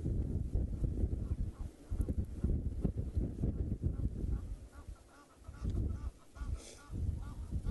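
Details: Egyptian geese at a dam in Djuma Game Reserve at sunset on a hot 5 October 2017 give hoarse, repeated alarm honks in scattered bursts, warning of a young male leopard as they swim away from it, over heavy low rumbling noise.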